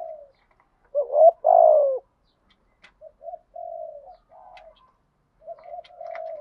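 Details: Spotted dove lure call meant to provoke other doves into cooing: low hollow coos with a louder drawn-out one near the start, then shorter soft coos with pauses, faint clicks in between.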